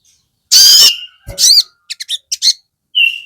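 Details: Crested jay (sogon) in a lure recording for provoking other sogon. It gives one long harsh screech, a shorter rasping call, a few quick clipped chattering notes and then a level whistled tone.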